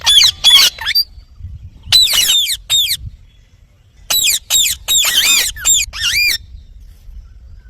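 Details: Loud, grating squawks from an Indian ringneck parakeet come in clusters, short doubled screeches at first and later a rapid burst of wavering, arched calls before falling silent.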